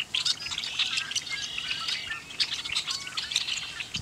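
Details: A flock of red-winged blackbirds at Bitter Lake NWR, Roswell, New Mexico, chatters steadily, with many overlapping sharp, high chips and buzzy squeaks that run on without a break.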